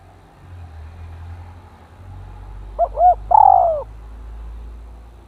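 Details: Spotted dove used as a decoy, paired with a fierce, bold rival dove: after a low background rumble, one phrase of two short arched notes and a long descending coo is heard.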